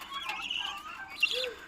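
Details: Four-month-old helmeted guineafowl chicks on a poultry farm in Assam chirp together in thin, high, overlapping notes, with one lower arched whistle; helmeted guineafowl flock calls.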